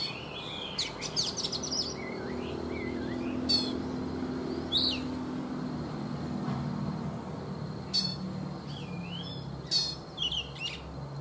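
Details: Oriental magpie-robin, wild-caught adult in its third caged season, singing in the morning: scattered bursts of sharp chirps and short rising whistles separated by pauses, over a steady low engine-like hum.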